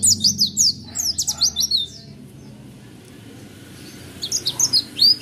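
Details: Caged Oriental white-eye sings in the roll tembak style. Rapid bursts of thin, high, sweeping whistled notes run for two seconds, then a pause, then another quick rolling phrase. A low hum sits faintly underneath.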